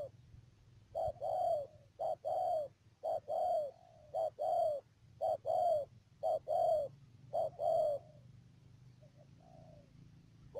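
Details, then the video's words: Decoy spotted dove in trapping at Đầm Dơi, Cà Mau, Vietnam, March 2019: a series of about nine low two-note coos, brief then longer and falling, ending in a softer coo and a steady background hum. "BẪY CHIM CU GÁY CÀ MAU .BỔI MƯƠNG ĐIỀU"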